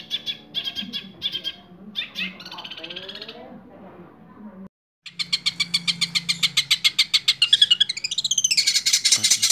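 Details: Long-tailed shrike, six months old and kept in a cage, delivering rapid rolling chatter: quick repeated notes, a brief pause, then a very fast rattling trill rising in pitch.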